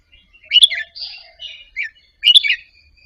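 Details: Caged Indonesian-type red-whiskered bulbul practising soft doubled song phrases, played to rouse other caged birds to sing along: bright chirpy whistled notes in short bursts, with a louder burst at the start and end.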